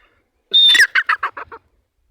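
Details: Grey francolin call: a loud, high whistled note held briefly, followed by a run of about five short, harsh notes that weaken toward the end, in a quiet background.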